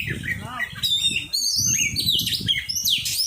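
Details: Oriental magpie-robin during song training: quick, varied whistled and buzzy phrases with sweeping notes, over a noticeable low murmur of background noise.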